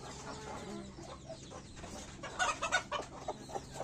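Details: Domestic chickens being raised by their keepers; a few short, harsh clucks burst out near the middle, set against a constant low electrical hum and broad background noise.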